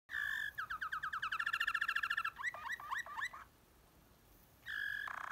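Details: Waterslager canary singing deep tours: a bright rolling trill of rapid repeated notes that speeds up, then a few short looping whistled phrases, a brief silence, and the trill starting again.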